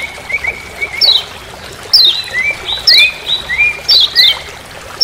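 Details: Lemon-bellied white-eye (kecial kuning) of Lombok calling "ciak ciak" in forest, used as a training master sound: sharp high down-slurred notes alternate with lower drawn-out whistled notes, roughly one burst per second.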